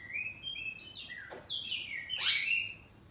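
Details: Home-kept oriental magpie-robin of the kacer poci type singing loudly in ngeplong style, trading phrases back and forth: clear whistled notes held then sliding, ending in a bright burst of rapid high chatter.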